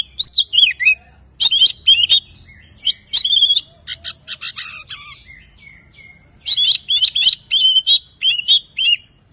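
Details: Oriental magpie-robin singing energetically, played to prompt silent magpie-robins to sing: sweet whistled phrases with slurred rising and falling notes, alternating with harsh scratchy bursts, and quiet pauses mid-clip.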